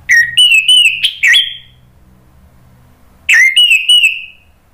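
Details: Orange-headed thrush song played to provoke a bird into singing: two phrases of bright whistles with quick slurred starts and sustained rising tones, split by a two-second pause, over low background hum.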